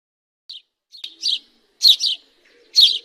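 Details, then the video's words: Bird chirping: short, high bright chirps in separate bursts, some doubled, spaced irregularly with quiet gaps between them. "أجمل اصوات تغريد الطيور الجميلة Beautiful birds chirping sound"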